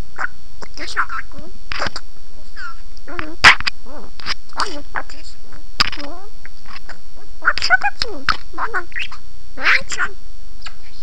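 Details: Pet parrot talking in Armenian, producing a steady run of speech-like syllables and short phrases with squawky, chevron-shaped tones, over a faint constant hum.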